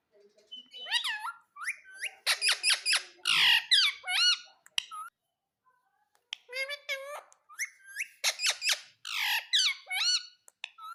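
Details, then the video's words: Talking pet parrot saying "mummy mummy": rapid clusters of high, warbling, speech-like syllables, repeated in two long runs split by a pause of about a second. "मम्मी मम्मी बोलने वाला तोता"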